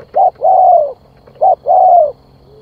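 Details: Decoy spotted dove cooing to lure others: two matching phrases, each a short note followed by a longer, even, slightly falling coo, with a low steady hum behind.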